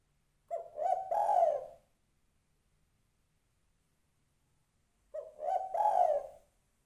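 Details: Female spotted dove calling to a male, used as a lure recording: two separate cooing phrases about four seconds apart, each a short soft note followed by a longer, louder mellow coo, in silence.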